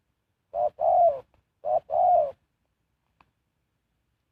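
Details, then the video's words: Spotted dove decoy for luring wild birds, producing two low two-part coos, a short note then a longer rolling one, followed by near silence. "Sound Of Spotted Dove is so good"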